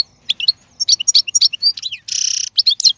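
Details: Goldfinch in full song, wild bird from the 2022 season: scattered sharp chirps building into twittering, a prolonged nasal buzz, then a few final tweets; faint low hum behind.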